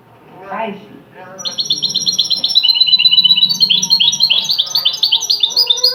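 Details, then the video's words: Goldfinch song in a distinctive Tunisian style used to train goldfinches: after a soft spoken word, a continuous stream of rapid, high metallic twitters and liquid trills builds in loudness. "chardonneretطرقة جغل مميزة"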